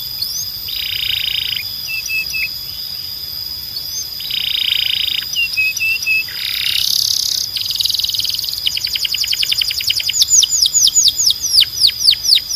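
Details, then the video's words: Belgian canary song for training young birds: buzzy sustained notes and short whistled phrases, then a long fast rattle of rapidly repeated downslurred notes, with a steady high whine and hiss throughout. "Canário Belga Cantando 2026 🔥 Canto Forte e Limpo Para Treinar Pássaros"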